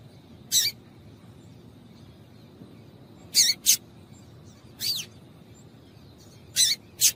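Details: Double-collared seedeater female, whose calls prompt a male to sing, uttering sharp high chips at irregular intervals, some paired, one sliding downward, against a faint hiss.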